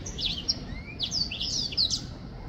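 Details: Black-throated finch song: a quick series of high, thin, slurred whistles and sharp chips, with one longer rising whistle, over a faint low background hum.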